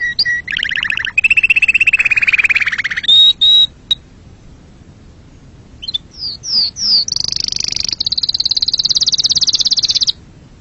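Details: Canary song made of varied tours: lower buzzy rolls and a rolling trill, a brief pause, then quick downslurred whistles and a long, very high, fast trill.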